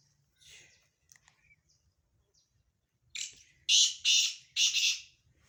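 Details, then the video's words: Black francolin, or kala teetar, in a mix of Sindhi-style francolin calls: after faint scattered chirps, a rising sequence of four hoarse, rasping notes builds to loud grating bursts near the end, harsh and broad-toned. "کالا تیتر کی آواز سندھی تیتر کی مکس آوازیں"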